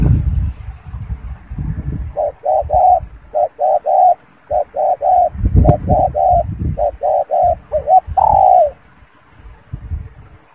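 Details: Spotted dove giving a long run of short, evenly spaced hooting notes that builds to a drawn-out falling coo. A low rumble runs underneath.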